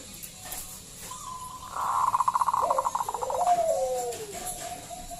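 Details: Local zebra dove giving a loud song used as a lure to prompt other doves to sing: a rapid stuttering trill of pulsed notes, then soft descending coos, over a steady faint hiss.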